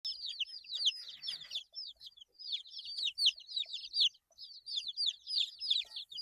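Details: Eight-day-old chicken chicks peeping together; dense overlapping high, downward-slurred cheeps in continuous bursts, with two brief lulls, and no other sounds.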